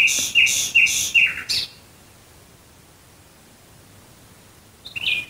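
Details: Nightingale singing at night near Dresden, Germany: four loud, evenly spaced chopped notes and a quick downslurred ending, followed by a long quiet pause, then a new phrase begins with a short whistled note.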